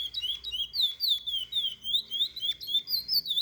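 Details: Curió, the chestnut-bellied seed finch, singing a teaching song for young birds: rich whistled notes that swoop and slur in quick succession, several notes per second, forming a steady, flowing melodic line.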